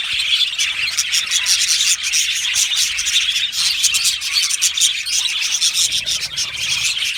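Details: Singing and chirping budgerigars of an Australian aviary colony, heard as a dense, grating mass of high twittering calls with frequent short clicks and squeaks.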